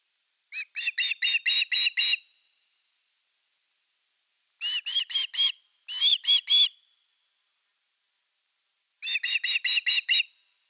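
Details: At the nest on the evening of 30 August 2021, with a fish: Osprey gives three bursts of six to seven sharp, whistled, slightly rising notes, each burst separated by a few seconds of silence.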